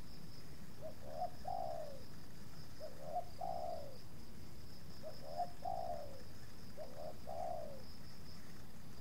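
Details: Spotted dove (tekukur) at a luring site where a captive decoy is approached by two wild doves, the second resisting a little. Four soft coo phrases about two seconds apart, each a brief lead note then a longer falling coo, over a low rural hum.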